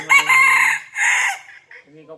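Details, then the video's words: Five-month-old red junglefowl crowing very fiercely, a loud, raspy, harmonic two-part crow, the first part longer and the second shorter, followed by brief quieter notes. "Gà rừng năm tháng tuổi gáy cực gắt"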